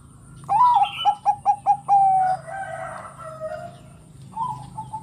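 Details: Singing Bangkok zebra dove, kept for its rolling cooing song that sets other doves calling: a rising note, five quick stuttered coos, then a long flat trill, later a softer short phrase, with low background hum.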